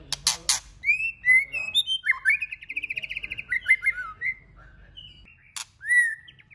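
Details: White-rumped shama singing many voices to stimulate other shamas: loud opening clicks, then bright whistles leading into a fast rattling trill. A pause follows, then a click and a final whistled phrase.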